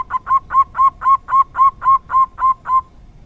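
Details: Rare 'dor tak kowor kowor' song of a local zebra dove: about eleven hollow, bubbling coo notes delivered steadily at roughly four per second, each at the same pitch, then the run stops cleanly.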